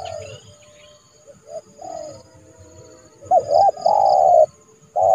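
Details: Spotted dove decoy trained to call a rival into a yard trap in January; faint coos at first, then a loud hooked note, a long level coo and a final short one, with a few faint high chirps.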